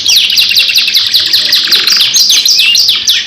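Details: Canary lure song, a long energetic 2-in-1 recording: dense high trills and rapid down-slurred notes pour out continuously, with fast buzzy rattles mid-phrase and no pauses.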